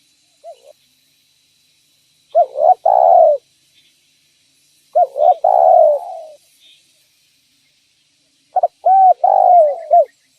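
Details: Spotted dove cooing to draw in other doves: a soft single note, then three full phrases roughly three seconds apart, each with quick rising notes and a long falling coo, in silence.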